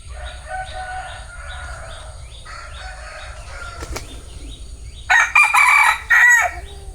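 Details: Bantam rooster giving a loud, rasping crow in three choppy bursts near the end, after several seconds of soft, repeated high chirps and low rumbling background noise.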